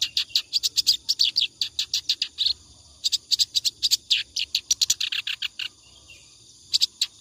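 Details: Continuous ngacor song of a clamorous reed warbler, meant for training other birds; bursts of rapid, grating, high-pitched chatter, each lasting two to three seconds, broken by a brief gap and a longer pause near the end.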